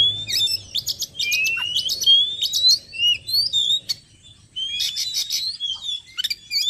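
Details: Magpie-robin lure recording for calling in wild birds: varied whistled notes, some rising and some dipping, mixed with dry scratchy clusters, with a short gap near the middle before the phrases resume.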